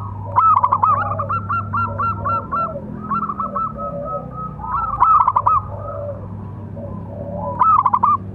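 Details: Local zebra dove, a keen singer, giving its calling song to train and lure other doves: long strings of rapid, stuttering coo notes in repeated bursts, louder phrases recurring every few seconds, over a low hum.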